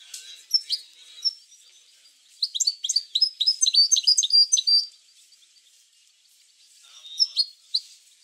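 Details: European goldfinch singing in a recording meant to stimulate goldfinches to sing: scattered chirps, then a lively two-and-a-half-second flow of tinkling, twittering notes, silence, and a final short twitter.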